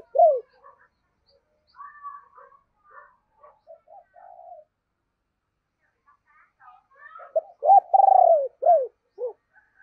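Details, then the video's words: Decoy spotted dove with a deep, booming voice, calling to attract wild birds: scattered soft notes and faint chatter early on, then a loud phrase of short hoots, a long rolling coo and falling notes near the end. "Chim Cu Mồi Gáy Gọi Và Thúc Giọng ỒM ỒM"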